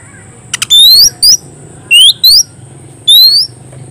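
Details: Oriental magpie-robin calling a rival with sharp, upward-sweeping whistles and short harsh clicks, delivered in uneven bursts roughly once a second over a steady low hum.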